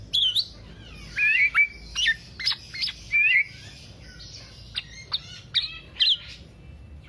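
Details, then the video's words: Black-naped oriole singing, offered as a lure and master recording for songbird keepers: separate loud phrases of sharp, bending whistles and squeaky chirps, with short silent gaps between bursts. "Kepodang Podang kicau sampe telerrr"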